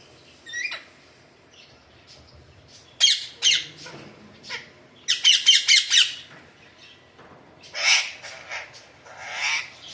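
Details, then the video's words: Pet Alexandrine parrot giving harsh broadband squawks in short bursts separated by pauses, with faint small chirps between them, recorded indoors. "Alexandre parrot sound"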